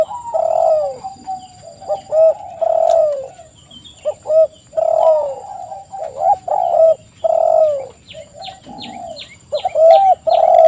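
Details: Spotted dove (tekukur) song used as a lure: a busy run of mellow, low coos in short bursts, some notes overlapping as if several doves call together, with faint thin chirps from other birds near the end.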